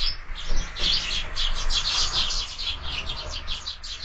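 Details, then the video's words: Loud, close sparrows at a window feeder in the morning produce a continuous stream of overlapping chirps and chatter, busy throughout, over a low background rumble. "Воробьи в кормушке - Утро"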